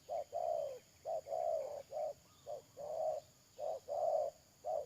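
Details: Spotted dove, a trapping decoy, recorded 31 May 2022: a steady run of deep coos alternating short and long notes with barely a pause, the longer notes slightly wavering, under a faint steady high hum.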